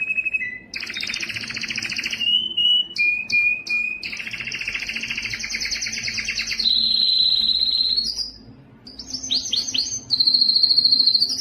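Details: Canary song aimed at training other canaries: varied tours of buzzy double-toned trills, short whistles, a long steady high trill, swooping notes and a final bright trill.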